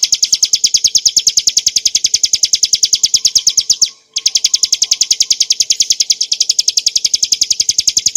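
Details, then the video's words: Ciblek gunung, Bar-winged prinia, giving its clear 'ngebren' song for masteran training of cage birds: rapid high chips in a long unbroken stream, interrupted by a brief silent break near the middle, then resuming at the same pace. "kicauan burung ciblek gurun untuk masteran & pancingan - suara jernih ngebren nembak"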